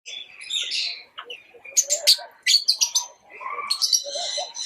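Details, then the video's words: Pet lovebirds give rapid, shrill chirps and squeaky chattering notes, bursts of sharp high peeps tumbling over one another with brief pauses. "Love birds chirping sound"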